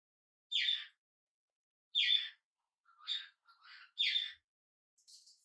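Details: Hand-reared budgerigar chick, first day in its new home, gives a series of raspy chirps about every second, louder first calls followed by softer broken notes, indoors with no other sounds.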